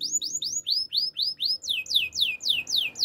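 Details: Male canary singing an even series of bright slurred whistles, roughly four per second, each note curving and falling in pitch.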